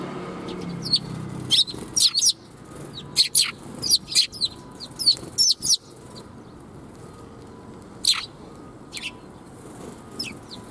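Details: Sparrows gathered to greet on the way out, 16 April 2021: a lively run of bright, high chirps repeated in quick bursts, then a few isolated notes, with faint low background hum.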